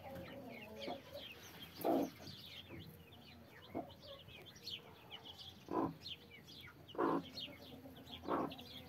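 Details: Mother hen guarding 33 chicks gives low, throaty clucks roughly every second or two, some louder and grating, while faint high chick peeps and soft rustling fill the gaps.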